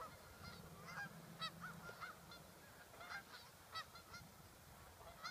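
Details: Sandhill cranes near Waite Park, Minnesota, in August 2014: short, separate rattling calls repeated about every half second to a second, over a steady low rumble.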